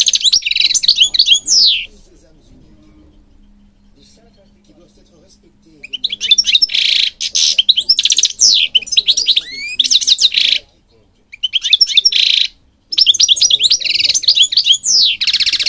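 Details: European goldfinch singing for training birds: long runs of rapid, jangling twitters and buzzy rattles with sweeping slurred notes, broken by a few pauses and a faint low hum in the background.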